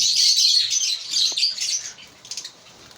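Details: African lovebirds in a breeding colony chattering together: dense, shrill, high chirps run for about two seconds, then fade to scattered faint squeaks.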